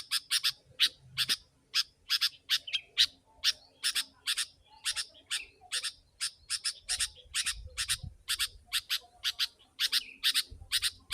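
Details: Lure recording of a very chatty sooty-headed bulbul for attracting wild birds: an unbroken run of crisp, high chirps, roughly two per second, some doubled, keeping up a busy, tightly packed rhythm throughout.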